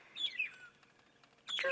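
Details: On a morning on 26 September 2016 in the Sabi Sands, South Africa, magpie shrikes call back and forth. They give clear whistled notes sliding down from high to mid pitch, then a louder burst of harsh chattering, over faint background noise.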